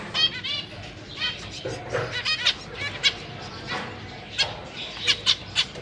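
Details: Zebra finches kept in a cage, parents with three juveniles and three newborn babies recorded 4 May 2023; soft nasal beeping calls from several birds, fainter and irregular, with background noise throughout.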